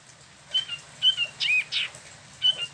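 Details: Spot-throated Babbler kept in a cage in Bandung, Indonesia, giving short clear whistles mixed with harsher, broader notes, separated by brief pauses.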